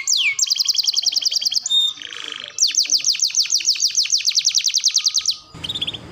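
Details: Canary song used as a training recording for young birds: fast trills of repeated down-sweeping notes, rapid buzzy rolls, a brief rough break, then another long rolling run of quick descending whistles.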